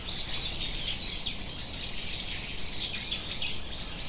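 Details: Australian king parrot, a wild local bird in eastern Australia, heard as a busy series of high chirping notes repeated rapidly over steady outdoor background noise.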